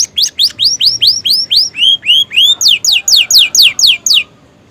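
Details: A pet canary in new plumage, its song filled with prenjak and ciblek imitations, pours out loud, high rising-then-falling whistled notes. They come about four per second and shift to steeper, sharper sweeps before a sudden stop.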